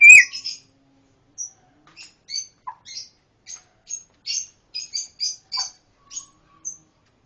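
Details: Pancawarna uttering scattered, very high, thin chirps and ticks at irregular intervals, after one louder opening note, with quiet gaps between them.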